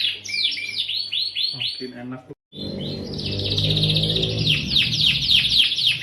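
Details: Canary in the gacor cuit cuit nembak lure style: a run of clear downslurred chirps, a short break with a gap of silence, then a dense rapid trill over a low rumbling background.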